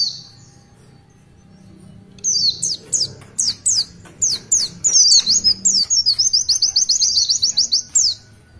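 An Oriental white-eye sings a thin, very high song: quick rising chirps about three per second, then a long, fast twittering trill. The background is quiet.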